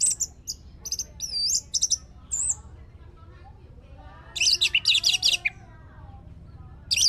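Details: Orange-headed thrush singing on a lure recording meant to draw out another bird's song: looping, wavering high whistles and chips, a quiet gap, then a dense burst of harsh, rapid, chattering notes and a final sharp phrase.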